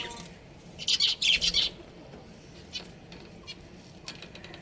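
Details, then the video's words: Budgies from a breeding pair: one dense, loud burst of grating chirps lasting under a second, then only a few faint, scattered chirps against a quiet background. "Adorable Budgies Chirping Sounds"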